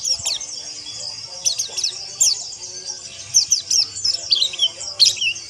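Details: Pleci (white-eye), a caged songbird kept for training, giving high, thin, rapid chirps and twittering trills in bursts, sliding downward, with a steady high hiss behind and faint low hum.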